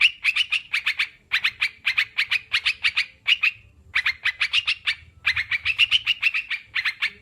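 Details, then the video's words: Sooty-headed bulbul singing, played as therapy to help kept birds start singing and reduce stress: rapid bursts of sharp chirped notes, several per second, grouped into runs broken by short pauses. "Terapi burung crucukan biar cepat bunyi dan anti stres"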